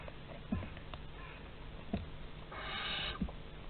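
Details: Barn owls, a pair at a nest box in Théding, France, 30 August 2020: scattered soft knocks and clicks, then a drawn-out rasping hiss of about half a second over constant low hum.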